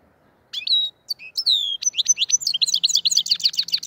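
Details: Black-headed goldfinch from the Andijan, Kuva and Fergana area: a few loud whistled and slurred chirps with short pauses, then a quickening stream of sharp, tinkling twitters to the end. A faint low hum is also audible.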